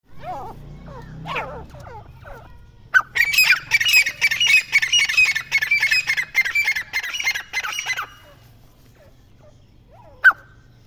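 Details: Grey francolin chicks calling: a few thin, wavering notes, then about five seconds of dense, harsh, buzzy squawks repeated rapidly and irregularly, followed by quiet and one last sharp note, over a low background hum.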